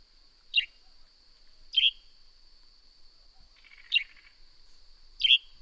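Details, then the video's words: Northern grey-headed sparrow repeating a brisk, downward-sliding chirp four times at roughly one-second intervals, over a constant high background whine. "Northern Grey-Headed Sparrow Serenade"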